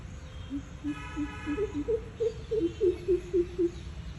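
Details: Greater coucal making sounds through its throat, a deep, hollow series of about a dozen hooting notes, roughly three per second, stepping up in pitch, over low background hiss.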